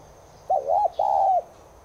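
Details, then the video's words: Spotted dove of subspecies tigrina, cooing meant to get caged doves to coo along: two low, mellow arched coos, the second longer and drawn out, over quiet background hiss. "NẾU CU GÁY NHÀ BẠN [ YẾU LỬA ] KHÔNG GÁY THÌ HÃY MỞ VIDEO NÀY LÊN ĐẢM BẢO CHIM NHÀ BẠN GÁY THEO NGAY"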